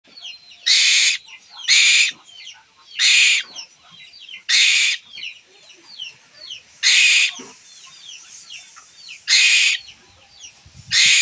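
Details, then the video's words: Pet Asian koel chick kept at home, crying for food: loud harsh rasping screeches about half a second long, repeated every one to two seconds, with faint thin chirps from other birds in the gaps. "কোকিল ছানা | Kokil Chana | পোষা কোকিল পাখি | খাওয়ার জন্য কান্না"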